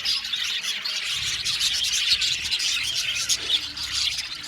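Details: Aviary flock of budgerigars chirping and singing: busy, overlapping high squeaky chatter and short warbled phrases, a constant dense babble.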